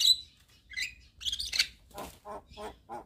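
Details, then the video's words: Javan myna in full, persistent song with nodding: a brief whistle and buzzy notes, then low, rough, rasping pulses repeated about every third of a second. "Kicauan Jalak Kebo Gacor MAnggut - Manggut Full Isian"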